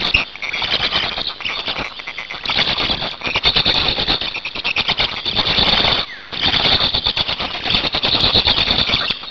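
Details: Nest of Black storks in Hungary on 8 May 2019 at change-over and feeding time; long bursts of rough, wheezing squeals, breaking off briefly around two and six seconds, then resuming just as loudly.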